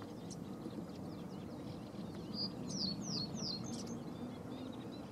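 A Cetti's warbler bursts into a loud, abrupt phrase of four or five sharp, high, down-slurred notes, over a steady low rumble of background noise.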